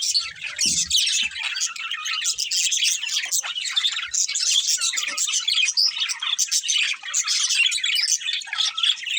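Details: A breeding pair of colourful budgerigars chatter in a steady stream of high, scratchy chirps and warbles.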